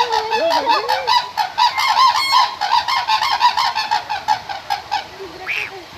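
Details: Cranes calling in a loud overlapping chorus of honking, trumpet-like notes, repeated in quick succession by several birds, with a few lower wavering calls at the start and end.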